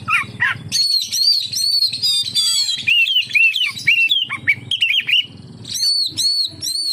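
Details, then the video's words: Oriental magpie-robin singing to entice other magpie-robins into song: high bright whistles, a rapid buzzy trill, then chattering notes and repeated arched whistles, over a soft low hum. "suara burung kacer untuk penarik / pancingan kacer gacor santai"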